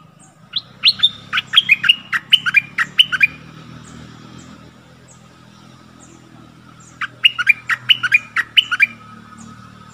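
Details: Stripe-throated bulbul recorded 1 April 2021 while wild birds approached a caged bird but did not land, possibly with young in a nest; two bursts of quick, bubbly, warbled notes, the first about three seconds long, over a faint steady hum.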